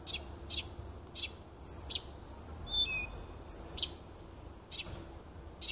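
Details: Singing nightingale in a small wood near a house, 30 June 2015: spaced dry clicks with two sharp down-slurred whistles and a short pair of pure notes between them.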